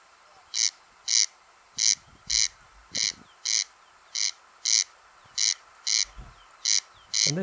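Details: Corncrake on Lewis, Outer Hebrides, Scotland, in May, heard then seen by luck and relatively unbothered, coming closer: dry, rasping double 'crex-crex', the paired notes repeating steadily about every second, with a few faint low thumps behind.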